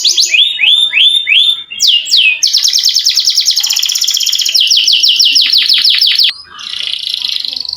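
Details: Long-rolling canary performing lure song for lazy birds: bouncing rising notes, then a long rapid trill of falling strokes, ending in a sustained high buzzy roll after a short break.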